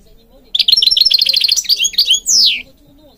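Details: Singing goldfinch of Morocco, kept for training birds: a continuous quick, high, tinkling twitter of repeated bright notes, closing with a long downward-sweeping whistle.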